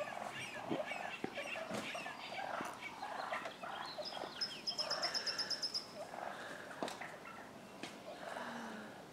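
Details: Agitated wild turkey toms fighting in a neighbour's front yard, Willits, Mendocino County, California. Choppy clucks and purrs run on, and a high, buzzy pulsed trill from another bird sounds midway.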